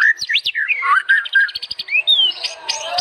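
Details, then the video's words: White-rumped shama training song: sweeping slurred whistles and a run of rapid clipped notes, followed by a rising whistle and high chattering phrases in quick succession. "MACAM-MACAM SUARA BURUNG MURAI BATU GACOR UNTUK MASTERAN"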